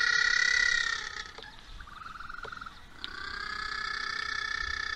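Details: Feeding-time calling of little blue penguins, recorded 27 October 2023 at Oamaru, New Zealand. A strong drawn-out harmonic wail gives way to a quieter, fast-pulsed trill, then a second sustained whining call rises again.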